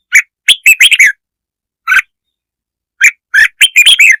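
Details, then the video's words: Red-whiskered bulbul lure song used to provoke other birds: a quick run of five bright, chirpy notes, one lone note, then another burst of six rapid warbled notes, with silent gaps between. "tiếng chim chào mào kich mồi chuẩn"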